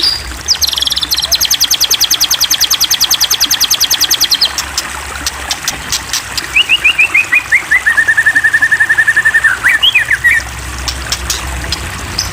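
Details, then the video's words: White-rumped shama provoked to sing: a long rapid high buzzy trill of evenly repeated notes for about four seconds, then a descending series of clear whistles and a short flourish. "Pancingan Murai Batu !! Terbukti Ampuh Memancing EMOSI Murai Batu Agar Bunyi Gacor !!"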